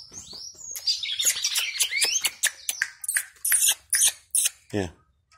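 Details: Cardinal singing loose, a lively run of sweeping whistled and chirped notes at high pitch, rapid and irregular, ending with a few sharp separate chips and a short lower rasp.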